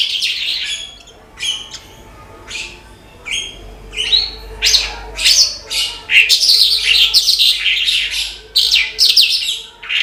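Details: A branjangan (Horsfield's bush lark) in full song: clipped high chirps and buzzy trills, spaced at first, then tumbling into a rapid, continuous chattering stream, with a faint low hum behind.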